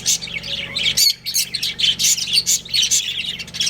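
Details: Pet budgies from a breeding pair give busy, harsh chirps and squawks in rapid bursts, briefly pausing near one second before resuming; faint low mechanical hum behind.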